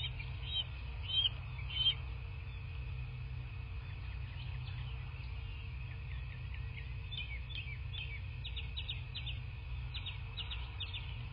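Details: Bald eagle at a nest in a quiet landscape of southwest Florida, picked up by a nest camera on 17 March 2024 at 09:12. Thin, high chittering notes come in quick series with pauses, over a constant low hum.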